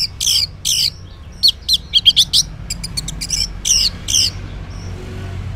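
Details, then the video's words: Orange-headed thrush singing in the morning in full ngeplong style, used as a lure so silent males answer: scattered bursts of sharp high notes, a quick cluster of clipped chirps in the middle, then spaced phrases over a low hum. "Cocok Buat Pancingan ANIS MERAH Ngeplong di Waktu Pagi Hari Yang Macet yang Bisu Kalo Jantan Nyaut.."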